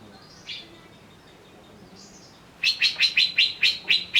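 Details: Agitated greater green leafbird: two faint whistled notes, then a loud series of seven sharp, harsh chips repeated about every quarter second.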